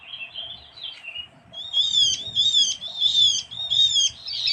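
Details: Javan grey-throated white-eye, a small forest bird of Java, recorded as lure audio: a thin high note, then a chain of wavering, slightly descending whistled chirps repeated about every half second over faint low rumble.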